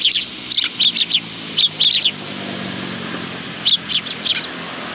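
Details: At a Tenmangu shrine bench feeding spot, willow tits on 10 August 2022 give bursts of high, thin tsip notes in quick runs of two to four, a pause, then another short run, over a steady high hiss.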